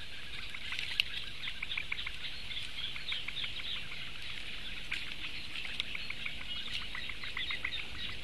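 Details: Food begging by four young Eurasian bitterns, recorded on a live stream on 16 May 2017. Fast rows of dry ticks run through a constant high chatter, with occasional sharp clicks and light background hiss.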